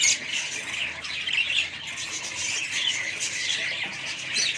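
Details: Chattering budgerigars, a family group calling together in a thick, even stream of high chirps and grating squawks, loudest in the opening moment.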